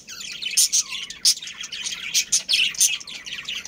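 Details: Budgerigars, a breeding pair with their family, kept together in a colony: dense, scratchy chirping and warbling chatter with sharp high peeps bursting out irregularly, several birds calling over one another.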